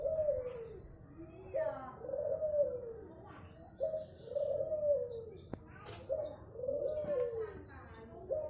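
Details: Zebra dove from Madura cooing continuously: soft, rolling low coos that swell and dip, repeated roughly every one to two seconds, with faint chirps from other birds and a constant high hum.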